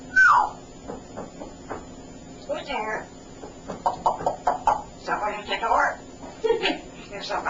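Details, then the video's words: A male African grey parrot chats in a quiet room after being refused soda, giving a quick slurred whistle and then a string of short, word-like, speech-like bursts about every half second. "the Super Chatty African Grey Parrot"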